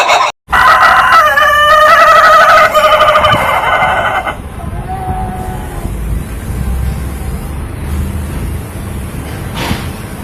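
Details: Ayam Ketawa rooster delivering a loud laughing crow of rapid pulses lasting about four seconds, followed by a low background rumble and a faint short note.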